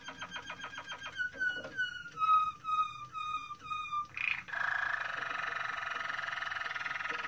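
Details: Moroccan Malinois canary song: a fast trill, then slow, clear whistled notes falling slightly in pitch and repeated about every half second, ending in a dense, hissing, bubbling rattle.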